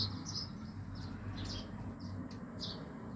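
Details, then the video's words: Yellow birds at home give a run of quick, high, slightly buzzy chirps, about five within three seconds, against a continuous low background hum. "sound of beautiful yellow birds"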